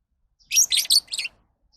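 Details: Lovebird chatter: a rapid run of four harsh, high screechy notes packed into under a second.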